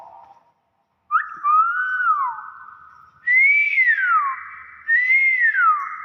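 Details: Tame common hill myna whistling: long, pure, arching notes that rise then fall, three phrases in six seconds, each leaving a ringing steady tone behind it.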